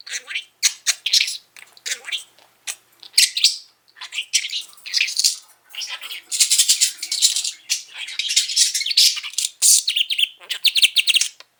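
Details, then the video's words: Pet budgerigar, a five-year-old male kept indoors, chattering in a dense run of buzzy, scratchy bursts and bright trills with short gaps; some bursts sound like mimicked talk. "Mango the incessant talking budgie"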